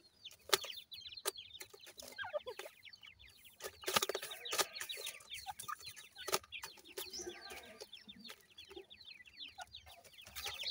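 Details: Farm-raised grey francolin chicks in Pakistan peep nonstop: many high, sharp, falling chirps in a tight overlapping chorus, broken by sharp clicking and tapping sounds.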